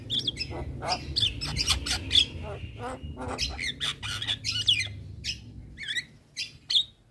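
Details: Javan myna master song for training quiet mynas, a dense stream of harsh chatter, clicks and thin whistles over a low steady hum, thinning to separate squeaky notes at the end.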